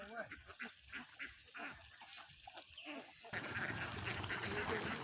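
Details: Many ducks quacking: loud, nasal quacks repeat rapidly, several per second, for about three seconds, then give way to a steady, hissing, noisy wash of crowded calling.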